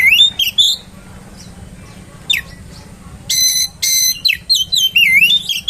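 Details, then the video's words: Oriental magpie-robin song intended to make other magpie-robins agitated: bright, high whistles and rich harmonic bursts come in short clusters, with a quiet gap in the middle and a dense, repeated flurry near the end over a low hum. "PANCINGAN KACER!! terbukti kacer ANDA AKAN NGAMUK!!!!"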